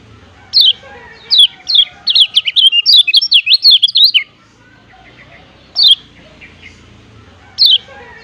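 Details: A Lombok yellow white-eye gives high, thin downslurred chirps, mostly single notes with a quick run of about a dozen sharp chips in the middle; used as a lure and song-tutor recording.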